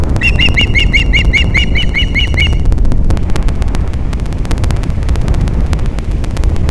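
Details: Osprey at Captiva, Florida, on a morning in mid-December 2021 during mating, giving a rapid series of about a dozen clear, up-slurred whistled chirps, then stopping, with strong wind buffeting throughout.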